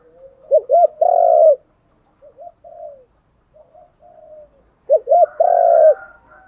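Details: Decoy spotted dove cooing to provoke wild doves into calling back: two loud, low, hollow coo phrases open, softer muffled coos follow in the middle, then the same loud paired-coo phrase returns near the end.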